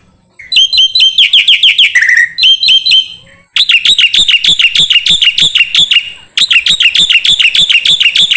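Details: Song of the black-winged myna used for songbird training: loud bursts of rapidly repeated, bright, whistled notes with brief pauses between the runs.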